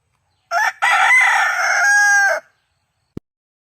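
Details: Chicken giving a single loud crow: a brief opening note, then a long, rich, level cry of about a second and a half that drops away at the end, followed by a faint click.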